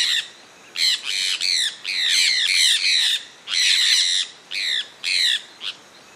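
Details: Harsh screeching squawks of a sulphur-breasted parakeet, a Brazilian resident of Pará and Amapá, coming in long overlapping bursts, some notes drawn out and others short and clipped.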